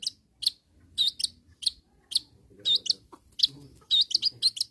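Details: A long-tailed shrike calling to rivals gives a steady string of high, sharp chips with upward flicks, some doubled, over faint low background noise.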